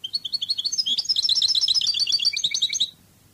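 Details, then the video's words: Cádiz-style European goldfinch song from a training recording: a long three-second phrase of fast, bright tinkling notes, bouncing up and down and gathering into a rich, rolling twitter, with a faint hum behind. "CD CANTO DE JILGUERO CADIZ شريط لغة الحسون الإسباني قادس"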